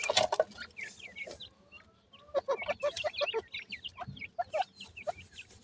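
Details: Partridge chicks at feeding give scattered short high peeps in small clusters, separated by pauses, along with clicking pecks and a few lower clucking notes.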